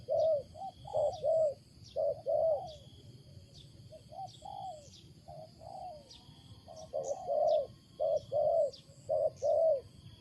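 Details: Wild spotted dove with a loud, unusual coo: short hoarse cooing notes in clusters of two or three, pausing around the middle, over a low rumble and faint high chirps from other birds.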